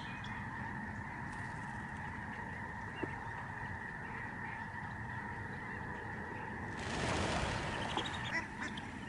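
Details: Thousands of Lesser Snow Geese fly overhead at a Canadian bird sanctuary in November 2011. Steady, layered honking from the flock runs throughout, interrupted near the end by a loud burst of rushing, wind-like noise.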